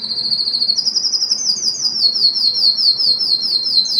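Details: Canary singing to excite females for mating, a long high rolling trill that steps up in pitch partway through and keeps an even pulsing rhythm to the end.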